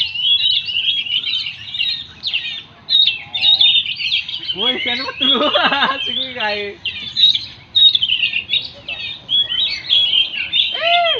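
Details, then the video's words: ['Oriental magpie-robin song: a continuous, varied run of rich whistles and rapid chattering notes, with short pauses, plus a burst of lower, harmonic-rich descending sounds around the middle.'] "kicau.. burung Kacer"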